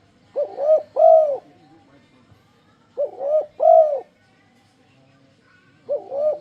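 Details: Tekukur, or spotted dove, producing enticing coos to prompt other doves to join in singing. Regular three-note phrases repeat about every three seconds: two quick hoarse notes, then a louder sustained coo, over a quiet background.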